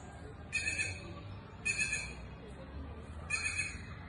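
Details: Inca jay in the countryside giving three harsh, rasping, broadband calls about a second apart, each short and grating, over a steady low rumble of background noise.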